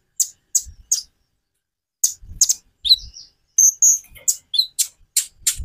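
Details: White-rumped shama song for encouraging other birds to sing: clipped high chirps at a steady pace, then slurred whistles and a sustained piping note, with soft low thumps underneath.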